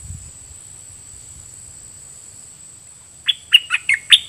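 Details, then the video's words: Caged red-whiskered bulbul decoy of the Dok Taeng song style, singing at wild birds. After about three seconds of quiet, five loud, clear whistled notes follow in quick succession, each sliding down. "เปิดดอกเพลงเบิ้ล!! ร้องริกใส่นกป่า"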